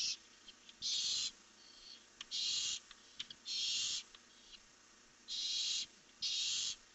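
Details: Barn owls at night, filmed by a live webcam on 1 July 2015 as two birds fly off; five loud, breathy hissing screeches, each about half a second long, at uneven intervals.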